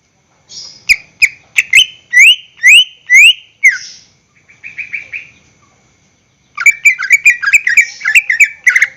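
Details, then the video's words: Lure song of a greater green leafbird, meant to make caged birds sing. A row of rising, strident whistles, a softer buzzy stretch and a pause, then a busy burst of jumbled chirps and twitters. "PANCINGAN gacor cucak hijau suara Full panjang untuk pancingan burung bahan agar SELALU GACOR"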